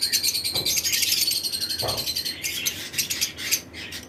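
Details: Lovebirds chirping during breeding season, pairs of several mutations in a flight colony among other birds. Continuous shrill twittering fills the recording, with two soft low thumps early on.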